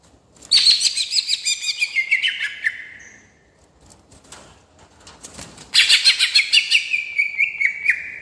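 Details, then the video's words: Greater green leafbird singing a rolling-style song to provoke other birds: two rapid trilling bursts of chirps about five seconds apart, each sliding down into a drawn-out whistle. "Cucak Ijo Gacor Gaya Ngerol Cocok Untuk Mancing Emosi"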